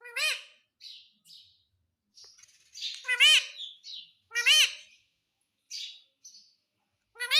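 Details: Talking ringneck parrot kept as a pet, saying "mummy" over and over; strong arched harmonic calls near 0.3, 3.2, 4.5 and 7.3 seconds, with quieter hissy high chatter in the gaps and no other sounds.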